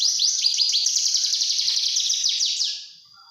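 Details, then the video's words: Young Javan bush lark pouring out quick, high, buzzy trilled phrases for nearly three seconds, then stopping abruptly into quiet. "Anakan branjangan"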